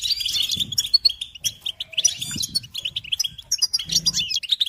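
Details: Rapid, liquid goldfinch song, with quick high chirps and tinkling notes crowding together in overlapping bursts. A brief lower buzz and soft knocks appear near the end.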